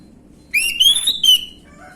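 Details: Orange-headed thrush song in the gamblingan style, played as a lure to get young birds to respond: one loud, clear whistled phrase rising then levelling off, with a short second note after a brief break. Faint background hiss.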